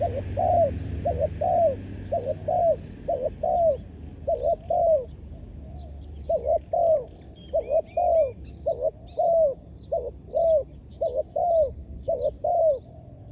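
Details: Decoy spotted dove calling to draw in wild doves, a long steady series of paired and slurred coos in rhythmic phrases, with faint high chirps of other birds behind.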